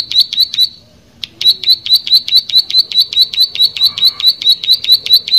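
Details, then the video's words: Plain prinia singing vigorously: a fast, steady string of sharp high notes, about two per second, after a brief pause near the start, with no other clear sounds. "Prenjak Sawah Gacor"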